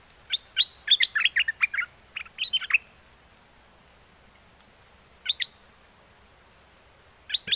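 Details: Caged bulbul in wild-song style, calling a mate, from Chana, Songkhla, southern Thailand, during a windy spell: a quick run of bright, chirpy whistled notes lasting over two seconds, then two short bursts after a pause.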